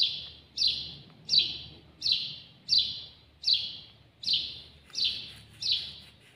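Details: Eight evenly spaced, loud cheeps from a house sparrow, locally al-jawj, filmed close up, one roughly every 0.8 seconds, each sliding a little downward, in a quiet setting.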